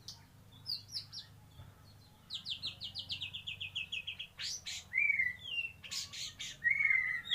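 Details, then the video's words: White-rumped shama delivering kapas tembak filling: scattered high notes, then a rapid descending series of about a dozen sharp chips, followed by loud clicks and slurred whistles rising and falling, with low background hum. "murai batu isian kapas tembak"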